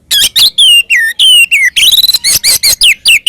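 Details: Loud, fast Oriental magpie-robin fighting song in ngeplong tarung style, meant to provoke rival magpie-robins into answering: ringing slurred whistles, some falling and some rising, broken by a dense buzzy chatter in the middle.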